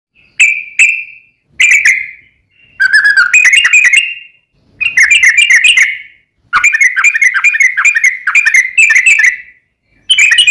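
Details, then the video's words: Sooty-headed bulbul in lively gacor song of the long ropel style, played as a lure to make another bulbul answer: loud bubbly whistled notes in short bursts and longer rapid rattling runs, with brief pauses between phrases. "KICAU SUARA trucukan gacor ROPEL PANJANG pancingan trucukan agar bunyi MENJADIKAN trucuk gacor NYAUT"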